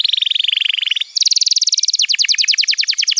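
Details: Canary training song meant to prompt young birds to sing: a dense, buzzy rattle of fast repeated notes, switching to a higher rapid trill and then to slightly slower, chopped twittering.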